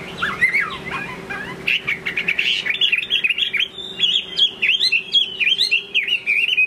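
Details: A Chinese hwamei in late afternoon delivers rich, varied song: soft lower warbles at first, then loud, rapid, twisting whistled phrases that tumble and repeat, with a steady background hum.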